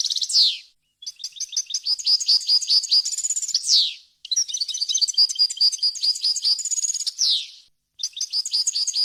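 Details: Clean European goldfinch song meant for training chicks: long twittering phrases of quick tinkling notes mixed with rapid trills, each closed by a harsh descending buzz, short silent pauses between phrases.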